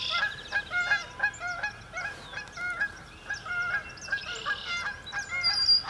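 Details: Many sandhill cranes in a marsh at a cloudy sunrise give loud, rich, rolling calls in quick succession that overlap into a busy chorus, with small birds singing in the background.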